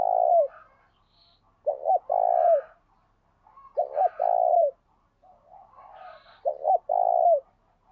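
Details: Decoy spotted dove in training with the kích bổi method, singing 'gáy sung' coos: three phrases, each a stuttered double note and then a long mellow falling coo. Quiet breathy higher calls come between them.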